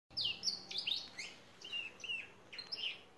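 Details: A Belgian canary in an aviary sings a bright, high string of chirps and short sweeping notes, with phrases every half second or so, over a faint background hiss.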